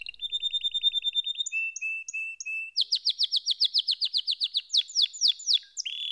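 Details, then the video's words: Canary singing: a fluttering low trill, a series of short separated whistled notes, then a fast run of bright downslurred notes and a closing buzzy sweep. "Canary SINGING Like a Pro with Proven Tone Techniques!"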